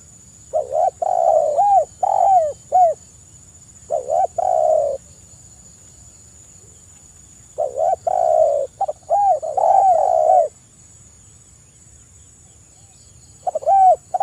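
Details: Energetic spotted dove song used as a lure recording: three phrases of low arched coos mixed with longer falling notes, separated by silences of a few seconds, over a faint steady high electronic tone.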